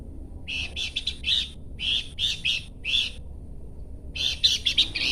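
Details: Horsfield's babbler giving rapid buzzy chattering bursts, several short rasping notes per group. The groups are repeated with brief pauses, ending in a denser run of harsh chatter.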